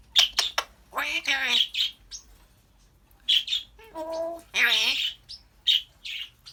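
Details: Pet African grey parrot chatting: scratchy, speech-like bursts with hoarse harmonic syllables, interspersed with sharp clicks and short squeaky notes, the phrases broken by a quiet pause in the middle.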